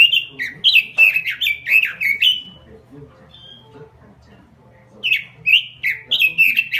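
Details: Lively robin lure song, 'full gacor': a quick string of loud warbled notes, a pause of over two seconds, then another burst of similar rapid, slurred phrases, low hum underneath.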